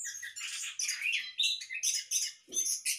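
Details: Orange-headed thrush bred in a hanging cage sings a continuous run of harsh, squawky, buzzy notes in quick succession, with a brief thud partway through.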